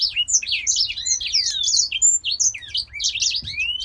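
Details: Grey singing finch, a healthy male from Poland that sings all day, especially heading into breeding season, pours out a fast, continuous warble of high twittering notes, trills and rising slurred whistles, with a faint low hum behind.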